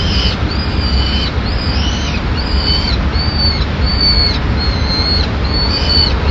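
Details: Peregrine falcon chick, the last one left in a nest on a ledge in Madrid, 25 May 2016, calling for food as the female arrives with a pigeon. Drawn-out high whining calls, slightly arched, repeated about once a second over constant low city rumble.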